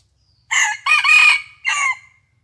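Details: Morning crow of red junglefowl at a decoy fight on 27 January 2021, the decoy bird having recovered from an earlier beating; one hoarse three-part crow, a brief opening, a long strained middle and a clipped close, in a quiet setting.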